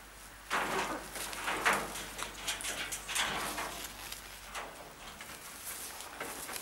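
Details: Captive blue-and-yellow macaws playing in an aviary in good weather give three or four harsh, raspy squawks about a second apart, followed by softer scratchy chatter and background rustling.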